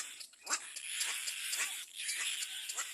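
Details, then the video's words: Little black cormorant chick at the nest crying loudly as another bird approaches; harsh, hoarse, wheezing calls repeated rapidly in a continuous noisy stream, with short broadband bursts roughly every quarter second. "BABY BIRD LITTLE BLACK CORMORANT SEES ANOTHER BIRD COMING TO THE NEST AND CRIES LOUDLY"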